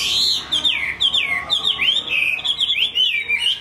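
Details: Loud, clear Chinese hwamei singing: long whistled notes that slide down and loop back up, linked in a smooth, unbroken flowing phrase.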